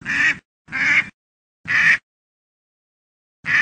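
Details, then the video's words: Duck quacking in short harsh nasal bursts, four quacks at uneven intervals with clear silence between them. "duck sound"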